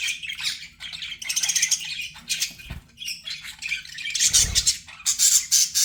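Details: Pet budgies chirping in a busy, continuous chatter of high, scratchy tweets and squeaks, coming in bursts separated by short quieter gaps, with a soft low thump near the middle.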